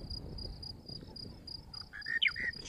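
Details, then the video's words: Monotonous lark, a male, singing his morning song close up on March 19, 2017, at Djuma Game Reserve: a steady insect-like hum at first, then short clear whistled and chirping phrases near the end, with a man talking softly over it. "Close up of the Monotonous Lark as he sings his morning song"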